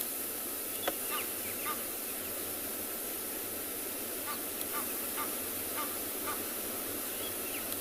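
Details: Egyptian geese in the wild at a South African game reserve on a June morning, females giving loud honks rather than alarm calls; short harsh honking notes repeated irregularly over steady insect hiss and background noise.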